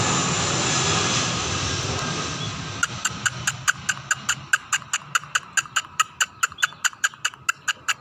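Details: Scaly-breasted munia starting to sing energetically: after a stretch of broad rushing noise, a long steady series of crisp, dry ticks, about two per second.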